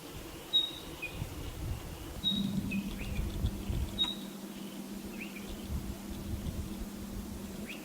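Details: Spotted pardalote: high whistled notes and lower slurred ones repeated several times, over a steady low hum and background noise.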